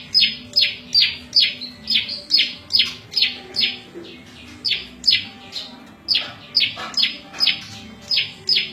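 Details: Rapid, rhythmic buzzy chirps from the prenjak lumut, a small exotic prinia, falling in pitch and repeated steadily with a short lull before resuming. The song is used to train cage birds and lure wild birds.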